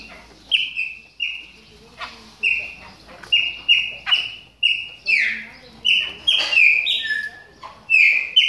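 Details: Chopi blackbird warming up in moult, producing a long run of clear whistled notes that grow richer and more varied toward the end, with light clicks between.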